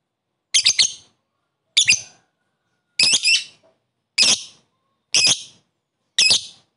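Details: Lovebird with the 'koek' call, challenging a rival and rousing other lovebirds; six harsh, buzzy, high double-chirps spaced about a second apart against silence.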